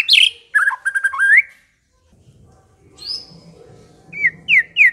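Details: White-rumped shama song played to lure other shamas into answering: a high rising whistle, then a run of quick clear notes near mid pitch, a pause with faint background murmur, and three rising upslurred whistles at the end.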